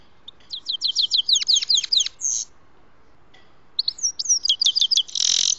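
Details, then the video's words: Grey-headed goldfinch singing during trapping, giving rapid tinkling twitters and sliding whistled notes in two phrases, the second ending in a harsh buzzy burst. "ловля седоголовие щегол"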